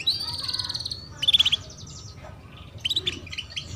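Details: Female canary giving cuit-cuit chirps meant to encourage juvenile canaries to start singing: a long buzzy rattling note, then a quick trill of clipped chirps and scattered high tweets, low hum beneath.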